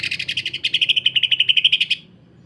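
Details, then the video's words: Greater green leafbird, a vigorous singer, giving its harsh, dense 'sewing machine' song used to tutor and provoke other leafbirds: about twenty rapid, buzzy, rasping pulses in two seconds, steady and loud, then stopping abruptly. "MASTERAN DAN PANCINGAN Cucak Ijo. Kasaran Rapat Mesin Jahit dan Suara Aneh"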